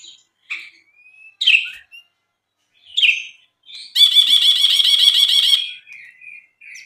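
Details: Brinji (bulbul) singing actively on a tutor track for songbirds: short separate whistled notes and slurs, then a sustained loud buzzy rattling chatter of about two seconds, ending with soft chirps.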